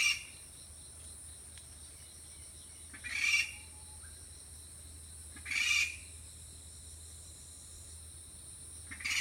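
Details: An Okinawa rail, wary of the camera, gives alarm calls from close by while staying hidden. Three short, harsh, broad-band bursts come about every two and a half seconds over a steady high insect drone.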